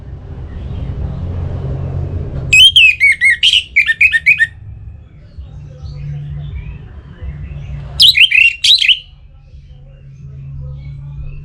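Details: Orange-headed thrush, Singaraja in northern Bali, in breeding mood and calling a rival: two separate bursts of fast, warbled whistles with sharp upward and downward slurs, a long gap of low background hum between them.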